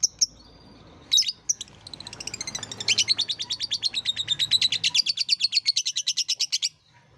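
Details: Lovebird therapy song for luring lovebirds, including young learners, to call: a few shrill squeaks, then a long rapid chattering trill of high, buzzy notes lasting several seconds before stopping.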